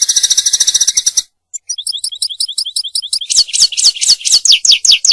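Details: A European goldfinch sings, for mating and for teaching young goldfinches; opens with a harsh buzzy trill, pauses, then repeats bright chirped notes about every fifth of a second, ending in quick descending twitters.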